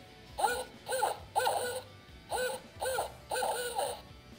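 Barred owl hooting: seven rich, slightly rising-then-falling notes in two uneven bursts, the familiar 'who cooks for you' rhythm, over a quiet background.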